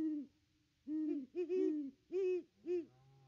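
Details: Great Horned Owl perched by the nest tree, nest camera, 25 December 2021, while a pair visits; a run of deep hoots, some stuttered and doubled, rising slightly then falling, spaced irregularly over three seconds.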